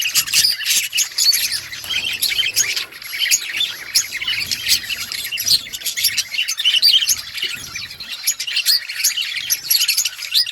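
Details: Continuous high-pitched chirping from a budgerigar colony kept outdoors, with rapid, overlapping tweets and twitters forming a dense, lively chorus with no real pauses.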